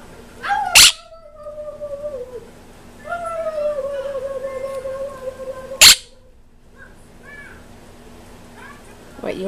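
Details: Pet green-winged macaw telling the dogs outside to "zip it" in a drawn-out, humanlike voice with slowly falling tones, broken by two sharp clicks and a few soft chirps.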